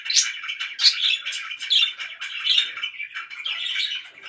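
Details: Loud pet budgerigar chatter, irregular bright chirps rising out of a steady scratchy, twittering warble.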